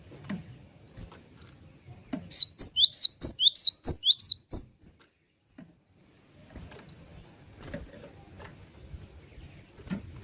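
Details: Well-practised Java sparrow singing one longer run of about a dozen quick, bright, high bell-like notes over two seconds, then quiet with faint taps and low background noise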